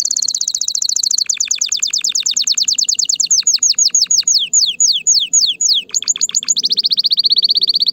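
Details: Excited male canary singing loudly to stimulate females for mating: a long run of rapid high trills, fast rising-falling sweeps slowing into spaced downslurred notes, then a brief buzzy roll and a steady high trill.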